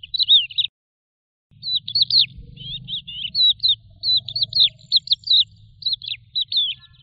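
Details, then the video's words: Lark identified as crested lark (Galerida cristata), a resident desert bird, pours out a fast, continuous stream of chirruping, trilled high notes with one short pause, over a faint low hum; finding: Eurasian skylark. "تغريد طائر قبرة الحقول(القوبع) Chant de Alouette des champs"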